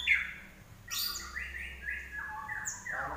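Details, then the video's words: Common iora singing steadily: a brief high note, then a series of soft, level whistled notes stepping downward, with a faint hiss throughout. "larwo Gacor"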